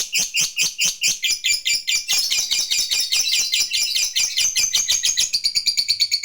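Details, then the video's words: Lovebird in the ngekek style used to call a rival: a long, fast, high chattering trill of rapidly repeated harsh notes, about two per second at first, then speeding into a continuous rattle. "Suara Burung Lovebird Gacor Ngekek Memanggil Lawan, SANGAT AMPUH bikin Lawan ikut Ngekek Panjang"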